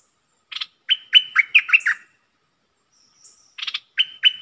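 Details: Caged decoy bulbul: a fast, bubbly phrase of about six whistled notes, some sliding down, then after a pause a fresh phrase begins with similar bright notes.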